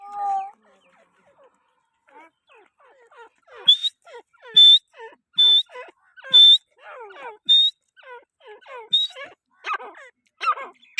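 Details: Grey francolin, known locally as teetar, calling with scattered downslurred notes that build into a loud run of sharp, high whistled notes about once a second, mixed with lower chattering syllables.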